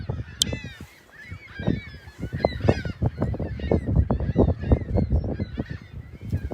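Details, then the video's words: Seagulls calling on a Sunday morning, March 21, 2021, at South Beach facing the lighthouse and pier in South Haven; bursts of nasal, harmonic yelps repeat irregularly over a steady roar of surf and wind. "Morning Sounds of Big Blue & Seagulls"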